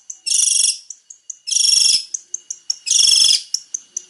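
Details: Long-tailed shrike, a male in varied song: three harsh, rasping bursts with small sharp ticks and squeaks between them.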